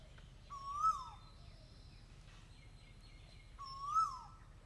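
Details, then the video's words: Asian koel calling twice, each a loud ringing note that swells upward in pitch, then drops away sharply, about three seconds apart over a quiet, low background hum. "koel bird sound"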